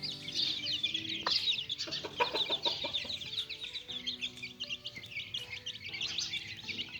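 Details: Chicks playing, kept for a daily growth update: crowded high peeps with a quick run of clicking taps in the middle, then the chorus settles to steady cheeping.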